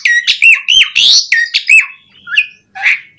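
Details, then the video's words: Brief burst of Asian pied starling song. Rapid rising whistles and a harsh rasp give way to a few softer, scattered notes. "Suara Jalak Suren Gacor Auto Bongkar Isian Variasi"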